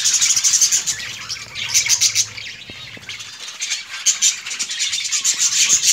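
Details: Many budgerigars in a breeding colony chattering in bursts of high, twittering warbles that swell and fade, with a brief low hum early on.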